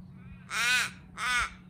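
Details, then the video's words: Backyard crows, active around ripening fruit, calling to tell other crows about a food source they found: two harsh, hoarse caws about half a second each and roughly 0.7 seconds apart, over a faint low hum. "Crows communicating to each other"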